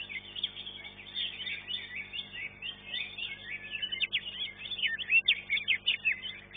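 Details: Green leafbird at a singing competition, third-place winner, delivering a dense, high, scratchy warble that builds into quick, accented chirping phrases, with faint background voices.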